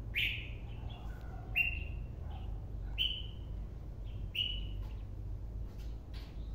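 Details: Red-whiskered bulbul of the white-cheeked kind, its song compared to "chi già", giving clear downslurred whistled notes repeated about every one and a half seconds against a constant low background rumble.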